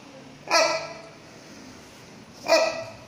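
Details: Two loud, hoarse, bark-like honks from a rhinoceros hornbill (Buceros rhinoceros silvestris) at Chester Zoo, about two seconds apart, each short and harsh over a quiet background.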